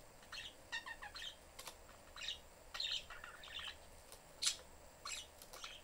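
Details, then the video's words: Budgerigar family kept as pets in a cage, the young one seeking attention; quiet running warble of short varied notes and clicks with a few sharper chirps, steady low background noise. "family budgies in cage/chriping, mom is busy, kid looking for attention."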